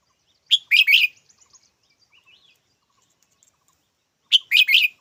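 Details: Red-whiskered bulbul repeating a rasping three-note chirped phrase twice, about four seconds apart, with faint soft twitters between the bursts.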